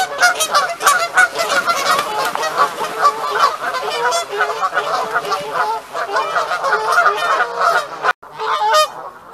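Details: Territorial Canada geese in pre-mating pairs, honking while chasing other geese off. A continuous chorus of loud, harsh overlapping honks from several birds, ending in a short silence and then a few final honks.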